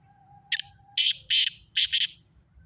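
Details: Black francolin, known locally as kala teetar, giving a harsh, grating call of five rasping notes: one short note, a pause, then two and a final close pair, over a quiet low hum.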